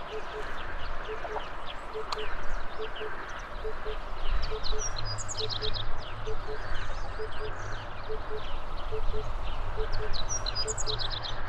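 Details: Wild birds singing on a spring morning in May 2020, captured with a camera and telephoto lens; many thin, high chirps and quick trills from several birds scatter across a broad hissing background, with a faint regular low beeping throughout.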